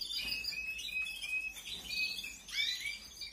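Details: Canary chicks begging while being fed in 2021, with overlapping thin whistled squeaks and rapid chirps, ending in a sharper burst of rising notes.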